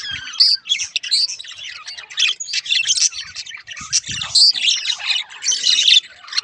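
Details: Pet budgerigars, one a halfsider of rare mutation, deliver a busy squawky warble of chirps, rasps and clear whistled notes, almost without pause.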